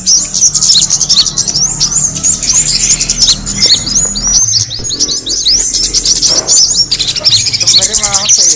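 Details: Kemade bird used as an attracting call, loud unbroken twittering of high squeaky notes and rapid up-and-down slurs, with a short warbling lower phrase near the end.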